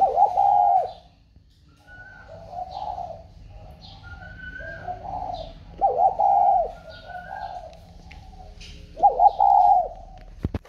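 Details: Newly bought spotted dove calling from inside a box: repeated low, hollow coo phrases, about five notes spread over ten seconds, with thin whistles from other birds between them and a sharp click at the end.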